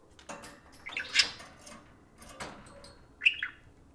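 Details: Two pet parakeets in cages take turns talking to a spoon indoors; short bright chirps and a few warbled notes come in scattered bursts, with soft clicking between them.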